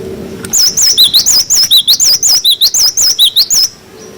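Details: A long, rapid series of about seventeen shrill, bouncing whistled notes from a cinereous tit in 'wucit wucit' style, a tutor recording for young cage birds. Faint low rumble before the phrase begins.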